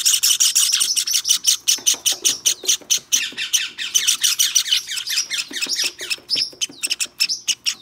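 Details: White Java sparrow nestling, hand-fed and tame, giving a dense stream of shrill, squeaky chirps that come almost without pause, some notes sliding downward, loud and insistent throughout.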